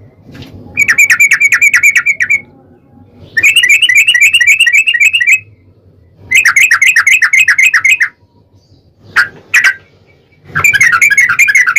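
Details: A yellow-vented bulbul sings long rolling ropel phrases, played to provoke other bulbuls into singing: repeated bursts of very rapid, regular bubbling notes separated by short gaps, with two sharp single notes between.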